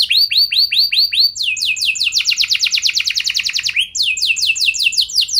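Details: Gacor canary song used as a lure for other canaries, with rising hooked whistles, then a string of rapid down-slurred sweeps, a quickened trill, a short glide, and more sweeping notes.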